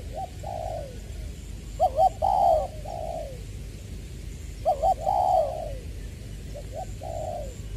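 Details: 'Giọng tiểu' spotted dove used as a decoy, Long Đức, Trà Vinh, 22/2/2021: two loud phrases, each a stuttered double note followed by a drawn coo and a falling tail, with quieter coos in between.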